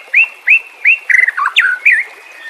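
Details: Murai batu, the white-rumped shama, in a provoking song for caged birds: three evenly spaced rising whistles, then a warbled twist and sharp downward slur.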